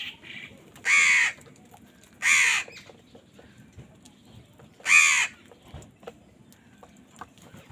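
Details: During a fight over food, crows give three loud, harsh caws spaced irregularly over several seconds, with faint background clicks and rustles.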